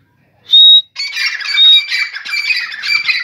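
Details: Morning call of a grey francolin: a clear piercing whistled note, then a loud harsh rasping series of squawks continuing for over two seconds, close and dominant with no other sounds.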